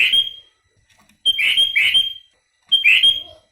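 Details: Sooty-headed bulbul singing a song filled with phrases of other birds: high, sharp whistled notes, each ending in a buzzy trill, given three times in quick bursts with short silences between.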